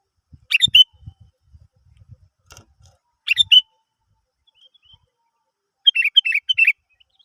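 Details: Sooty-headed bulbul phrases for luring other birds into song: three brief bright whistled bursts, the last a quicker string of four notes, over soft low thumping sounds.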